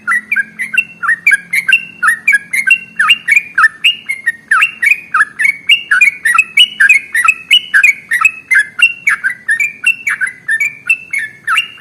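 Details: Sooty-headed bulbul (trucukan) singing in the long, rapid ropel style, used as a lure to prompt other birds to sing: a fast unbroken stream of bubbly whistled notes, several per second, alternating higher and lower pitches, with a faint low hum early on.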